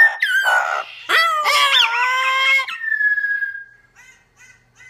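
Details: Pet Double Yellow-headed Amazon parrot reacting to footage of himself, with a Red-crowned Amazon companion nearby: loud harsh squawks and wavering whistled notes, then a long level whistle fading out.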